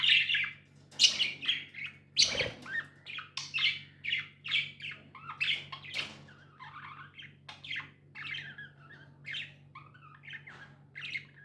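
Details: Pet budgies mix harsh squawks with sharp chirps and scratchy warbles, loud early on and turning into softer, sparser chatter later; a thump near the start and a steady low hum.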